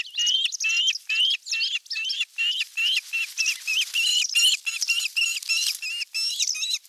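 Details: At the nest on 27 June 2022, with a whole fish delivered for dinner, an osprey gives a long unbroken series of loud, ringing whistled notes, about three per second, steady in pitch and rhythm throughout.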